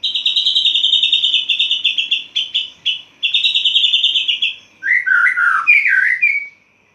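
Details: White-rumped shama in a cage bursting into open full song at dawn once its cage cover is lifted: long strings of fast, stuttering high notes broken by brief gaps, closing with rich swooping whistled phrases.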